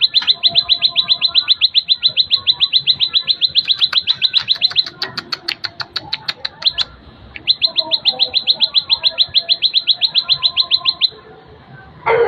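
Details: Plain prinia delivering two long runs of quick, high, repeated chip notes, nearly four per second, split by a stretch of sharp clicking sounds and a short pause, ending with a sudden loud rustle.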